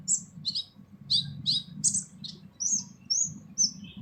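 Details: Harsh full song of a purple-throated sunbird, known locally as kolibri ninja, recorded for training other birds: a fast string of shrill, slurred chirps, some rising and some falling, over a steady low hum.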